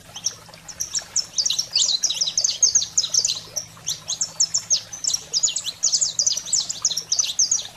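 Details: Fired-up saffron finch song in 'fogo selvagem' style, meant to stimulate canaries: intense clusters of high, sharp, ringing chirps delivered rapidly with short pauses, plus a faint low electrical-like hum.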